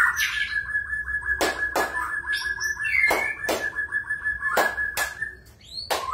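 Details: Magpie-robin holds a steady whistled tone with a fast rhythmic trill riding on it, interrupted by repeated loud sharp clicks.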